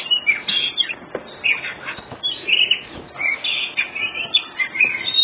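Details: White-rumped shama (kacer dada putih) singing in the ngobra style, used to provoke other birds into answering; rapid run of varied whistles and chattering notes, many short bursts with brief pauses, steady background hiss.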